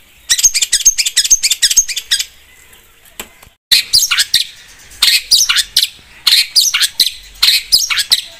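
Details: Long-tailed shrike in full, vigorous song, meant to prompt other birds to sing: rapid, harsh, chattering bursts and scratchy trills, a short silent gap, then more grating phrases about every half second.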